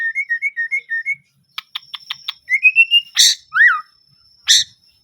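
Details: White-rumped shama singing with emotion: a quick alternating two-note whistle repeated about six times, a series of dry ticking clicks, a rising whistled run, then harsh rasping bursts and a downslurred whistle.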